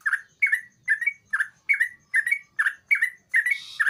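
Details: Sooty-headed bulbul singing actively, used as a lure to get a quiet bulbul singing: short, bubbly, slurred notes near two kilohertz, repeated in a steady run about twice per second with brief gaps.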